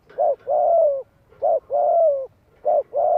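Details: Loud, close spotted dove in 'giọng hạp' voice calling to lure wild doves: a short blunt note followed by a long coo that slides downward, repeated three times at a steady pace.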